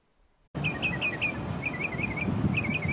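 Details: A Northern Mockingbird, a mimic, sings in winter in eastern North America. Bright, clipped mid-pitched notes come in quick phrases, each repeated several times before switching, over a steady background rumble.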